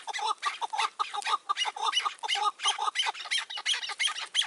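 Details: Chukar partridge calling during a May 2024 hunt with a caged decoy and a cautious wild bird; loud, repeated grating chuck-chuck notes about three per second in pulsing groups, slightly rising in pitch toward the end.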